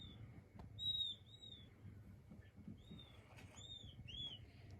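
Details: King quail chicks calling: several thin, high whistled peeps, some arched and slightly falling, coming in small clusters, with soft clicks and a steady low background rumble.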